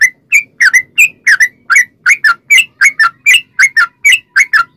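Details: Sooty-headed bulbul singing long ropel song meant to draw other bulbuls into song: a steady string of clear, slightly warbled notes, many given as quick pairs, with soft low background hum.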